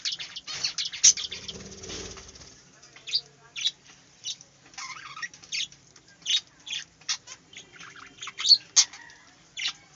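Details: Budgerigars in a small aviary giving scattered sharp, high squawks and chirps with pauses between them, plus a brief rustle near the start.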